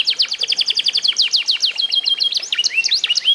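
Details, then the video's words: Canary of the F1 SF type, eight months old and song-trained: a rapid rattle of descending notes, slowing into longer slurred notes, then twisting whistles and upward chirps. "REVIEW HASIL MEMASTER BURUNG KENARI F1SF UMUR 8 BULAN"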